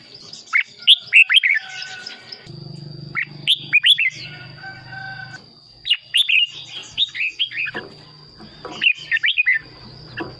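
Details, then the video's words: Lively red-whiskered bulbul song for decoy use or to stir caged birds: repeated clusters of quick, chirpy whistles separated by pauses, over a low droning hum and a steady high-pitched whine. "เสียงนกกรงหัวจุก สำหรับต่อ หรือ เปิดให้นกคึก"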